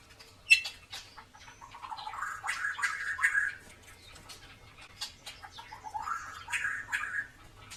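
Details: White-rumped shama with a drooping 'klewer' tail, in full song, used to prompt reluctant birds to sing: fluttering whistled phrases that rise and fall, mixed with sharp clicks and short high notes, over a faint low hum.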